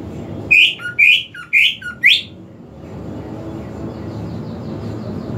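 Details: Greater green leafbird sound played as a lure to get a leafbird that will not sing to start singing: four loud, ringing chirps with a slight upward lift, about one every half second, then only a steady background hiss.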